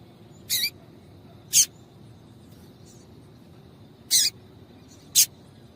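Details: Female double-collared seedeater call meant to prompt male song: four separate sharp, high-pitched chips at uneven intervals, one with a short dropping tail, with long quiet gaps between.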